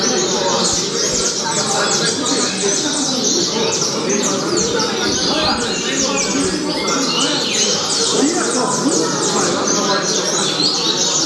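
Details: Double-collared seedeater delivering Altas Horas song style, sustained rapid sequence of high-pitched slurred and twittering notes, dense and continuous, with steady noise underneath.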